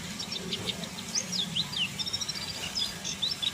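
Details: White-eye of the buxtoni form, described as mating: thin, high twittering notes and quick rising and falling whistled slurs in rapid series, over a steady background hum.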